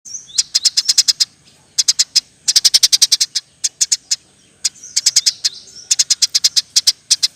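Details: Eurasian tree sparrow in energetic chirping, used as a model song for training other birds: rapid bursts of sharp, high chirps, five to ten notes per burst, separated by short pauses, with a faint low background hum.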